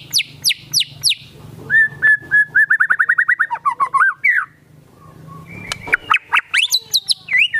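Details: White-rumped shama in full vigorous song packed with mimicked sooty-headed bulbul phrases: sharp high downslurred notes, then a fast run of repeated clipped whistles, a brief pause, and a final burst of varied rising and falling whistles.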